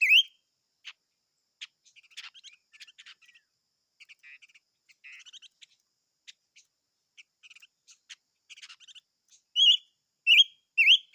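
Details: Chim ngũ sắc giving a long run of faint, dry ticking and twittering notes, then three loud, bright swooping whistles near the end.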